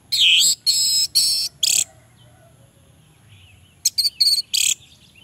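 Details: Loud, harsh, full-toned phrases of orange-headed thrush song, used as a lure for males that will not sing: four long strident bursts, silence, then a quicker cluster of shorter notes.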